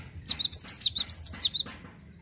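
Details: Java sparrow rolling song meant to prompt other birds to sing, a quick burst of roughly ten high, downward-slurred whistled notes packed into under two seconds, bright and clipped.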